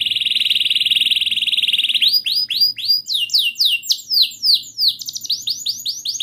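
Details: Canary lure song to get a silent canary singing: a steady, very rapid high buzzing roll for two seconds, then loud repeated downward-sliding whistled notes, some doubled.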